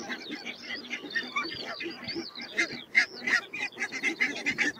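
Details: Barnacle geese calling: many short, yapping honks overlap in a dense, continuous chorus, with sharp barking notes rising above the steady clamor throughout.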